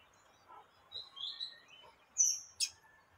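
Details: Calls of a female yellow-bellied seedeater trying to arouse a male: thin, high whistled notes, then a louder sustained piping note and a sharp rising chip near the end, over quiet background hiss.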